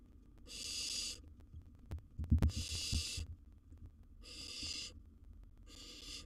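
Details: Barn owl owlet in a wild nest box with a big gerbil as prey: long rasping hisses roughly every one to two seconds, with knocks and bumping sounds between them.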